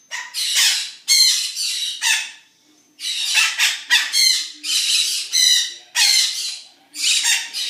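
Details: Zoo birds, called noisy, calling in the morning: a long series of loud rasping squawks, each lasting about half a second, with one brief lull partway through.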